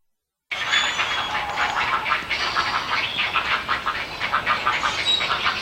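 Great Blue Heron chicks at a busy nesting colony make a dense, continuous wooden clatter of bill clacking, with faint thin whistles of other birds in the background.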